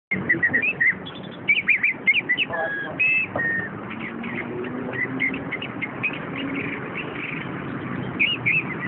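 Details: Chestnut-capped thrush, a captive bird from a shop collection, singing bursts of high whistled and chattering notes in the first three seconds, then quieter scattered whistles over a steady low background hum.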